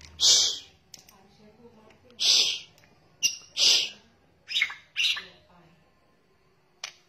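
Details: White-rumped shama male and female giving kretekan lure calls: loud, rasping, broadband chatters repeated roughly every second or two, some doubled, with quiet gaps between.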